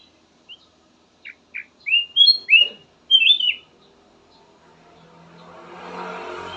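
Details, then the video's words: Black-naped oriole song in a soothing variety: a few spaced single notes build into loud, swooping whistled phrases, followed by a rising broad rushing noise at the end. "VARIASI KICAUAN BURUNG KUTILANG EMAS SYAHDU DAN COCOK BUAT PANCINGAN"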